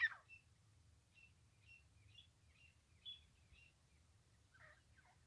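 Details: A francolin heard during francolin trapping gives short, high, squeaky notes about twice a second, opening with a harsh burst and ending in rougher calls, over a steady low rumble.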